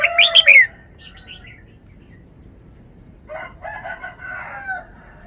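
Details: Caged red-whiskered bulbul showing off its forest-style song: a loud burst of quick, sharp whistled notes opens the recording, then faint distant chirps, and a rooster crows in the background near the end.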